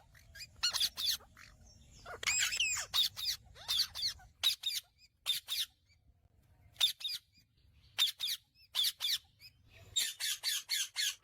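Indian ringneck parakeet giving loud, harsh, screechy calls in quick bursts, mostly single squawks with a few rapid runs, against a faint low hum.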